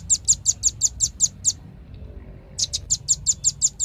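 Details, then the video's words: Two bursts of bright, piercing chips from a velvet-fronted nuthatch, about nine notes each at a quick even pace, separated by a one-second gap of near silence. "SUARA BURUNG RAMBATAN PARUH MERAH"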